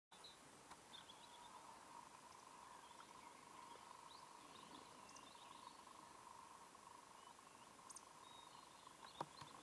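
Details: A European nightjar in Hamsterley Forest, 2008, gives a steady, unbroken churring trill throughout, with faint chirps from other birds above it.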